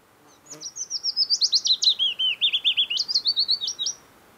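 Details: Early-summer song of a wild Willow Warbler in the Geilo area, Buskerud County, Norway, late June to early July: about twenty liquid whistled notes gliding gently downward, then lifting into a brighter closing phrase; a faint brief click near the start.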